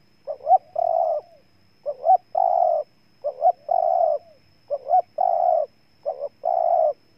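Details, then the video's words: Spotted dove of Ninh Thuận, Vietnam, cooing persistently: five phrases in about seven seconds, each two quick rising notes followed by a long, level coo, evenly paced. "Cu Gáy Ninh Thuận"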